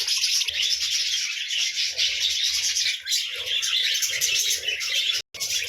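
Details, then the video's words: Morning chorus of budgerigars, busy overlapping twitters and chirps, with a sudden brief silence just before the end. "Morning Sounds of Buddiges Parrot"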